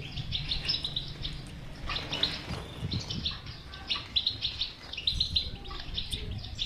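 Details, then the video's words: European goldfinch song used to stimulate a silent goldfinch; clustered bursts of bright chirps and twitters separated by short pauses, with faint low background noise. "اذا لديك مشكله في حسونك انو لا يغرد لا تخاف هذه البتبته الحل وعلاج الحسون الصامت"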